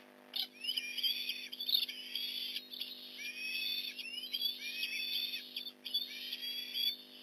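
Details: Osprey calling at a Port Lincoln nest as a fish is delivered, 8:24 in the morning, 15 November 2019: a run of high, strident whistled notes, repeatedly rising and sliding, nearly continuous for about seven seconds over a faint steady hum.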